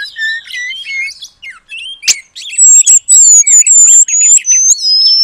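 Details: Oriental magpie-robin song with long-tailed paradise bird material: quiet varied whistles, one sharp click, then loud high sweet whistles repeated in a steady series.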